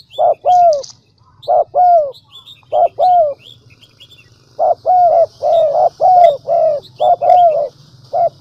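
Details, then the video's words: Spotted dove decoy call, a recording used to lure wild doves and make them coo quickly: low, hollow cooing notes in short paired or grouped bursts, with faint thin chirps of other small birds above and a steady low hum. "Tiếng cu mồi đỉnh nhất 2019"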